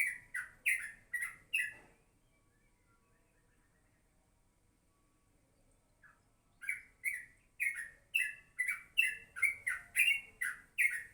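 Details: Yellow-vented bulbul in morning song, a burst of quick bubbly notes, a pause of about five seconds, then a faster run of repeated chirpy phrases to the end.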